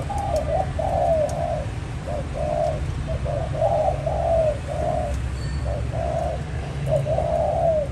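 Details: Spotted dove cooing, used as a lure for trapping: soft, hollow coos repeated in short phrases over a steady low rumbling background noise.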